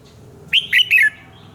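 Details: Short burst from a red-whiskered bulbul singing in the morning: three crisp, whistled notes in quick succession, each a little lower, the last sliding down.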